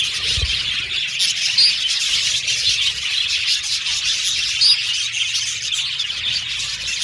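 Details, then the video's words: Aviary budgerigars singing and chirping while playing with their cage; high continuous chatter with two short bright whistled notes standing out, plus a low thump near the start. "Budgies Singing And Chirping Sound"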